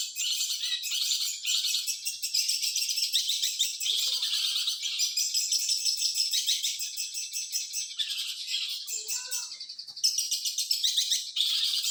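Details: Long-tailed shrike singing a continuous high, scratchy, chattering medley of fast twittered notes and brief whistles, used as tutor song for other birds, with no pauses and a few lower slurred notes mixed in.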